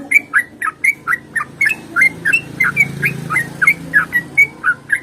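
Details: Yellow-vented bulbul giving a fast fighting-style song, meant to set other bulbuls singing; quick run of short whistled notes dipping and rising, several per second, over a low background hum.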